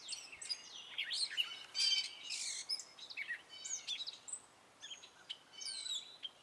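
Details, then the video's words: Male Gray Catbird sings his spring song, a rambling unbroken string of squeaky, scratchy and whistled short phrases, often imitations of other birds, some repeated, over a faint steady hiss; Gray Catbird. "Gray Catbird singing his spring song!"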